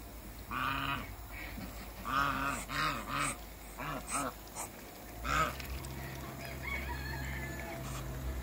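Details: A pair of African geese kept in a backyard with waterbirds, giving loud nasal honks in a burst of about eight calls, some doubled, over steady low background hum.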